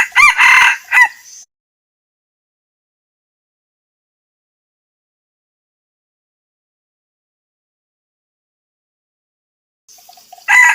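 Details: Challenge crow from a male red junglefowl: one full harsh, broken crow at the start, then a long silence, and the first notes of another crow beginning at the very end.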